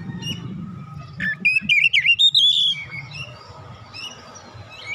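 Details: Untrained oriental magpie-robin, provoked into lively singing: one loud phrase of clear, warbled whistles sliding between middle and high pitch, with softer chirps before and after over a steady low hum and faint background rumble.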